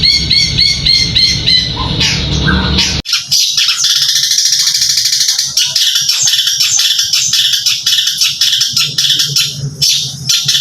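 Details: Caged bird raised for singing competitions gives clear repeated high chirps for about three seconds, then a harsh, buzzy rapid chatter continues to the end.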